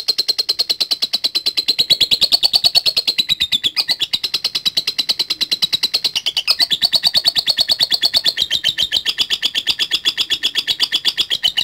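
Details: Lovebird chattering in latah gacor style, the song used to call rivals at bird contests: a long, relentless run of rapid high buzzy notes, with a few brief pitch dips, loud from start to finish.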